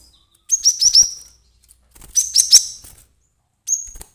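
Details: Cinereous tit calling persistently as a lure for trapping wild birds: two quick clusters of sharp, very high chirps, then a single thin whistled note, with brief pauses between.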